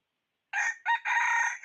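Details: Start of a red junglefowl decoy rooster's crow used to attract wild fowl, 2021: short first note, brief second, then a sustained middle cut off before the end.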